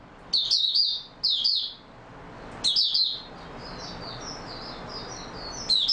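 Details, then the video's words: Oriental white-eye in open song, 28 February 2022: three loud bursts of shrill, jumbled twitters, while softer, thinner high notes run quietly through the pause before a final burst. "Mata Puteh Raja Video 1 buka sing stable form"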